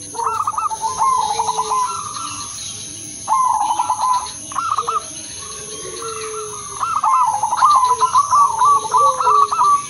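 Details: Melodious zebra dove song from the Udanmas silver crossing line, played as a lure for other doves: clusters of rapid bubbling coos, a pause, then a long rolling run, with a high steady whine throughout.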